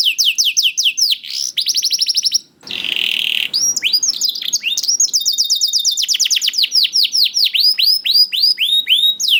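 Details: Young canary's lure song to get quiet canaries singing: rapid downslurred whistles in trills, a brief pause, a harsh buzzy passage, then long runs of steady repeated falling notes.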